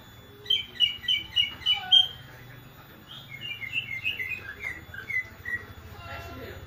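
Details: Greater green leafbird giving an unusual, strange-sounding song: a run of five loud, sharp chirped notes repeated about every third of a second, then a softer, faster string of varied twittering notes, with a low steady hum beneath.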